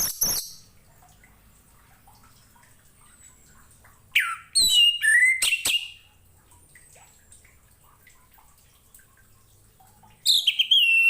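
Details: Song of an Orange-headed thrush for training other birds: short bursts of bright falling whistles and sharp chirps, separated by long quiet gaps with faint low hum.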